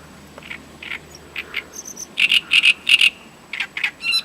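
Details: Great reed warbler singing in Voronezh, Russia, recorded in 2012: harsh, grating croaky notes, single and in doubled pairs, with short gaps and a thin high squeak in between, growing louder towards the middle.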